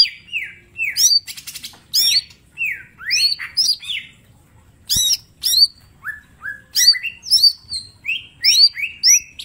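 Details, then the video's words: Mini green leafbird song used as a training master, rich in sharp 'tembakan' phrases: repeated downslurred whistles and high chips, a short buzzy rattle early on, and a single click midway. "Cucak ijo mini gacor full tembakan bongkar materi"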